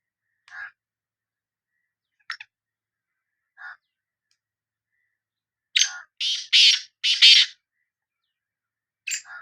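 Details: Sindhi black francolin: three widely spaced soft, lower notes, then a loud grating phrase of four to five harsh bursts, and another raspy note at the end.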